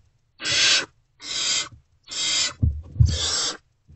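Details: Great horned owlets in a nest box, still unfed before dawn on 3 March 2024 around 5:31 am, reacting to an adult's return; four harsh, raspy hissing screeches, each about half a second long, with low thumps between them.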